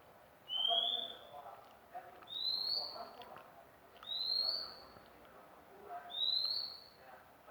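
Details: Four clear, gently rising whistled notes from a magpie-robin, delivered about every two seconds, with low muffled background noise throughout.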